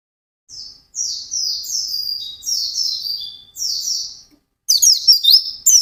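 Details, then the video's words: White-eye in intense fast ngalas song: a string of buzzy, downslurred high notes repeated roughly twice a second, then a quick burst of sharp twittering chirps near the end. "SUARA BURUNG PLECI GACOR NGALAS CEPAT"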